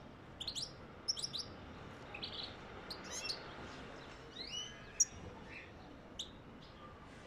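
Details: European goldfinch song, played to encourage mating: a busy run of short, high twittering and tinkling notes, scattered clusters of chirps and buzzy slurs over a steady background hiss.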